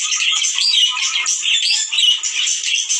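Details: Male and female budgerigars' breeding-encouragement sound: lively high warbling with sliding whistled notes and scratchy chirps, several birds calling at once.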